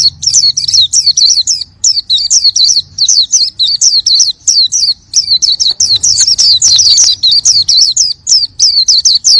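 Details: Oriental white-eye in full, lively song: a rapid, continuous stream of high, thin twittering and warbled notes with short dips and trills, phrases pouring out almost without pause over a faint low hum.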